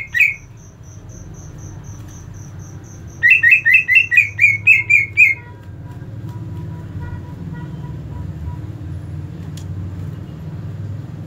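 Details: Greater green leafbird in agitated 'ngentrok' song, used to stir up other leafbirds; after an opening note, a run of about nine loud, sharp repeated chirps, then quieter background with steady low traffic-like rumble.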